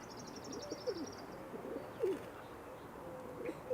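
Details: Rock pigeon (Columba livia) giving soft, low, rolling coos about once a second on an early-morning walk through a British Columbia marsh; a thin, high trill from a small songbird sounds early on.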